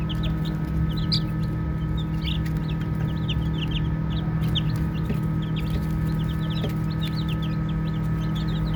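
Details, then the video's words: Baby chicks chirp as they play, scattered high peeps coming in loose groups, with soft knocks and a constant low hum behind. "Baby Chicks Chirping Sounds"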